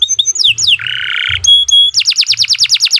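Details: Canary song, long and continuous, meant as a master recording for training other birds: high whistled notes, a buzzy low-pitched roll, bright steady tones, then a fast series of sharply falling whistled sweeps repeated about four times a second.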